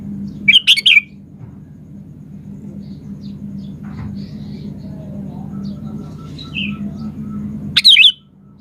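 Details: A lively sooty-headed bulbul, singing to draw replies from other birds, gives two short bursts of sharp, tumbling chirps several seconds apart against a low background hum.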